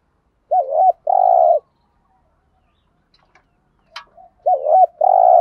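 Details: Spotted dove giving thúc gù and gáy gọi coos meant to stimulate other doves: twice a short looping double note followed by a long steady throaty coo, separated by a pause with a faint click.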